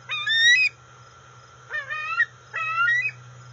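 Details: Female juvenile bald eagle, about 18.7 weeks old, at a nest on August 5, 2020, when her father delivers a dark fish or eel. Three loud, rich rising squeals, each under a second long, are spaced about a second apart over a steady hum.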